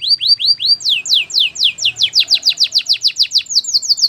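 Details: Canary singing a training song: rapid, clear descending whistled notes repeated about four per second, the phrase jumping in pitch and speed partway through, all crisp and high.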